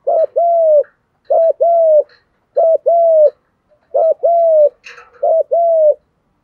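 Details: Male and female spotted doves cooing, played to stir birds in training into fighting coos. Low, mellow coos come in pairs, a short note followed by a longer, steady one, with each pair repeated roughly every 1.3 seconds.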